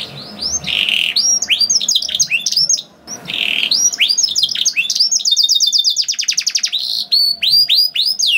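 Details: Canary song to encourage other canaries to sing: buzzy held notes and quick whistled slurs, then a fast even trill of short notes and further rising slurs.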